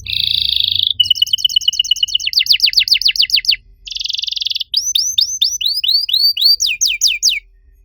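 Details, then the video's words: Master canary song for training other canaries: a buzzy roll opens, then a rapid double-toned trill, quick falling strokes, another buzz, and a series of looping slurred whistles that slow toward the end. "MASTERAN KENARI AMPUH BUAT MANCING KENARI LAIN YANG MACET BUNYI! - CANARY SINGING"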